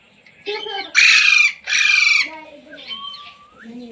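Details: Pet Indian Ringneck parrot trained to say "mummy", "mitthu" and "roti roti"; two loud, harsh screeches framed by softer chattering and a rising whistled note near the end.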